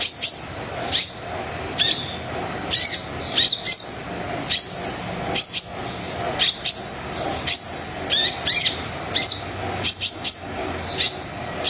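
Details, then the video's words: Very active Brown-throated sunbird song played to coax reluctant birds into singing: steady series of high, thin whistles and sharp ticks, short phrases repeated roughly every second across the recording. "Kolibri Dada Coklat Super Gacor Pancingan Kolibri Yang Males Bunyi"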